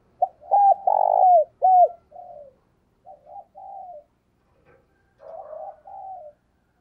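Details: Spotted dove used as a decoy, calling to wild doves in the morning: loud hoarse coos of rising then falling pitch in a quick series, followed by softer, shorter cooing phrases after pauses.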